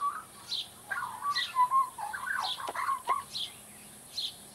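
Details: Baby Australian magpie warming up its song, producing bubbly warbled phrases and clear whistled notes in short runs, with a few sharp knocks in the background.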